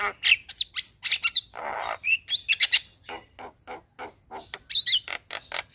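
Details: Javan myna singing in the morning as a master recording for caged birds: mix of whistles, sharp clicks and a harsh rasping note, with steady chattering phrases.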